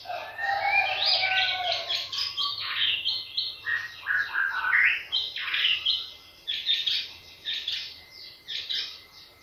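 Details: Rich, rapid song of a White-rumped shama, played to provoke other birds into singing: dense varied chirps, whistles and trills tumbling over each other, a lower drawn-out whistle at the start, then quick bursts with brief pauses.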